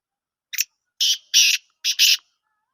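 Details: Black francolin, known locally as kala teetar, a Sindhi lal potiya type, calling: one short rasping note then two longer grating notes, a brief gap, and two more harsh buzzy notes, all within two seconds against silence.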